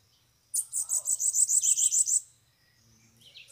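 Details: Bananaquit singing near a cage where a caged bird is used to draw in wild birds, several arriving loose: one loud, high, rapid buzzy trill of about a dozen even notes lasting under two seconds, then quiet.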